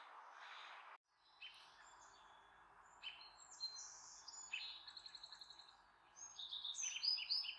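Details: Bald eagle mother calling to her offspring overhead near the Redmond nest with two chicks; brief noise then scattered high whistles, a rapid chattering series of piping notes, and loud sharp squeals at the close.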